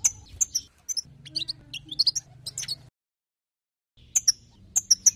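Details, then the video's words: European goldfinch twittering, for exciting other goldfinches: clusters of bright, high chirps and quick warbled notes, then about a second of silence before more crisp chirps. "بتبتات حسون جديده للتهيج نار"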